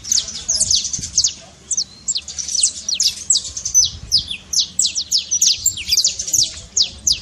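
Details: Energetic saffron finch trill for stirring a quiet bird into song, a continuous series of quick high descending notes in uneven bursts.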